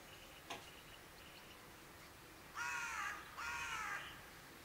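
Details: Raven calling two loud, hoarse, drawn-out croaks in quick succession, each about half a second long, preceded by a brief click and faint outdoor background hiss.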